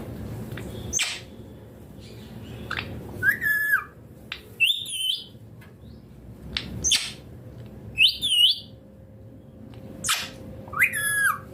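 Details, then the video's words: Rose-ringed parakeet chirping repeatedly: a busy run of high, harsh screeches and wavering harmonic squawks, often in pairs about a second apart, over a faint steady hum. "Natural Parrot Sounds Amazing Parrot Chirping Sounds / Natural Parrot Voices"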